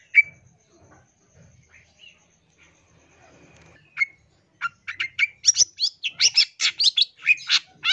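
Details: Long-tailed shrike song in a masteran recording full of fill phrases: sparse whistled notes at first, then a burst of rapid, varied chips and scratchy phrases packed densely in the second half.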